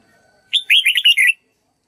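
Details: A red-whiskered bulbul sings a voice-training phrase meant for white-cheeked birds to copy: one short, loud run of five or six bright, slurred whistled notes, then quiet.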